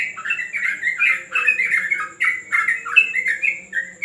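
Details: Yellow-vented bulbul during a training session on a terrace, singing a continuous run of bubbly, chattering warbled notes in quick phrases, with a steady high electrical whine and a faint low hum behind.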